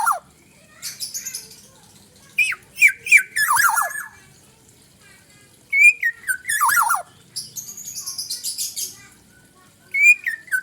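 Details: A black-naped oriole repeats loud phrases of liquid, descending whistles mixed with rough, buzzy squawks, with short pauses between phrases.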